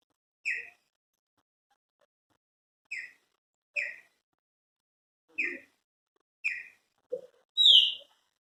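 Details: Chopi blackbirds kept as pets singing: short, ringing whistled notes spaced one to two seconds apart in near silence, closing with a louder, higher-pitched rising whistle.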